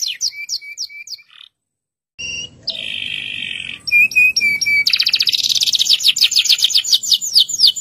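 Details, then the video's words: Local canary in loud rolling song meant to set other canaries singing: repeated whistled notes, a brief break, a buzzy churr, then clipped whistles and a long rapid high trill. "Suara kenari lokal gacor ngeroll panjang, ampuh memancing kenari laen ikut gacor"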